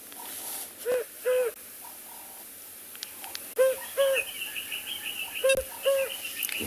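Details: African cuckoo, common at this time of year, gives low, hollow paired 'hoop-hoop' hoots about every two seconds, much like a hoopoe, at sunrise on 17 January in Tswalu Kalahari Reserve, South Africa, with faint higher bird notes behind.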